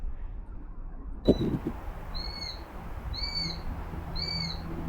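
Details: A wild Eurasian sparrowhawk, unseen in dense London woodland near a busy road on 7 July, possibly a young bird of a breeding family, gives three thin, high, slightly arched whistled calls, about one each second, over a low rumble and a thump.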